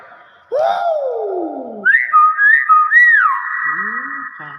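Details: Common hill myna in captivity producing a long descending whistle, then a series of looping, warbling whistles that settle into a steady held tone; a person comments around it.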